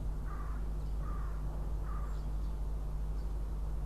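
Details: Incubating Northern goshawk at its nest in Riga, Latvia, April 2016: three coarse, clipped calls spaced roughly 0.8 seconds apart, with a steady low droning hum underneath.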